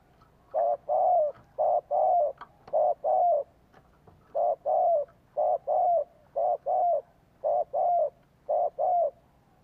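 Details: Spotted dove used as a decoy, calling to lure wild doves in. Mellow, low coos come in rapid pairs and short runs, about a dozen notes with brief gaps. Background is quiet.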